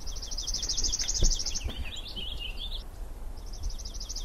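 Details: A Purple Finch sings overhead at a bog in Maine, giving a quick, tumbling warble of bright notes between the fast, dry, high trills of a Palm Warbler, over low wind rumble.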